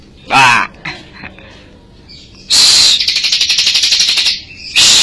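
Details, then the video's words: Bar-winged prinia from Majalengka, singing actively and recorded as a tutor song for other birds: loud, high, buzzy bursts, then a rapid, fast-pulsed trill lasting nearly two seconds, ending in another sharp burst. "Burung ciblek gacor"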